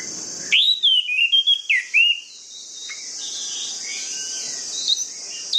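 Orange-headed thrush singing a rich burst of varied, slurred whistles over about two seconds, then softer twittering notes, with a steady high insect-like hiss behind.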